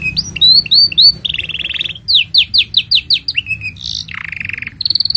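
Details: Long, lively canary song used as a master for training young canaries and prompting silent ones: rapid rising whistled notes, a buzzy trill, repeated upswept slurs about four per second, then harsh buzzy phrases; steady high hum behind.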